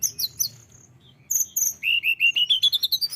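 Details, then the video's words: Tledekan gunung in full song, high sharp chirps followed by a quick series of short whistled notes climbing steadily in pitch, about a dozen in a row. "tledekan gunung gacor"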